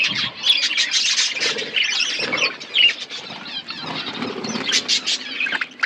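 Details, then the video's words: Budgies eating food give a busy mix of rapid chirps, scratchy squeaks and short squawks, several birds overlapping, with soft rustling between bursts. "Beautiful budgies chirping sounds birds eating food"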